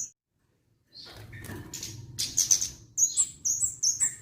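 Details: Orange-headed thrush song starting after a short silence with a rustling flutter, then quick high piercing whistles and twittered notes repeated in small clusters.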